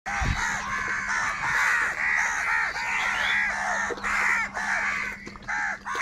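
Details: Crows fighting for food, a dense run of harsh overlapping caws from several birds, almost continuous across six seconds, with a steady low hum underneath.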